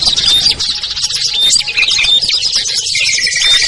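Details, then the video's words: Chorus of small birds used as a lure, said to include ciblek, kutilang, trucuk, sogon and perenjak; shrill chirps and brief clear whistles crowd together, with a lower sustained whistle near the end. "SUARA PIKAT BURUNG KECIL burcil AMPUH"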